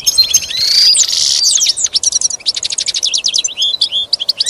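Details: Goldfinch singing for a pet goldfinch song lesson: a buzzy, drawn-out opening followed by rapid repeated chirps and twittering trills, high-pitched and loud, soft hiss in the background.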